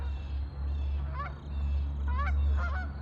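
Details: Ducks on a lake: two clear bursts of nasal, downward-bending honks about a second apart, the second a quick cluster of notes, against a steady low rumble.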